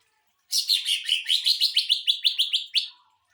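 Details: Greater green leafbird singing a song meant to train and provoke other birds: a series of about fourteen quick downslurred whistled notes, steady and evenly spaced, in a quiet setting.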